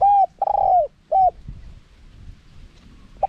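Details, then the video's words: Spotted dove singing the wild 'karam pa' style in a small voice, with 'khat' and 'nun' phrasing and a 'khu ang' ending, played to draw wild doves in quickly: three soft, hollow coos in quick succession, the middle one longest and drooping, then a faint note. "เสียงนกเขาใหญ่ คารมป่า (เสียงเล็ก) มีขัด มีหนุน คูอ่าง ใช้สำหรับเปิดต่อ ยั่วนกป่าเข้าร่วมเร็ว"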